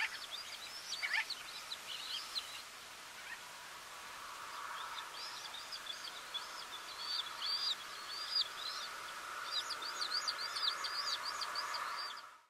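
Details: Gull-billed Terns (Gelochelidon n. nilotica) in the Camargue, France, in August 2019: several birds give rapid, repeated sharp calls, often doubled, over a steady hiss.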